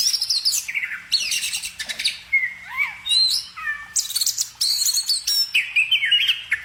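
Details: Varied birdsong of high sharp notes, clear whistled slurs and squeaky phrases, with a brief pause midway before another fast chattering burst.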